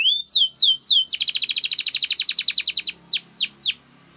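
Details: Training song from a Spanish Timbrado canary. Three slow upward-curving whistles lead into a crisp rapid trill for nearly two seconds, then three descending swoops before silence.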